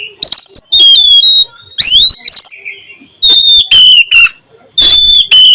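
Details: Oriental magpie-robin giving its sweet 'nyiul' song in the afternoon. Repeated loud whistled phrases each begin with a rising sweep and settle into long, slightly falling high notes, with short gaps between them.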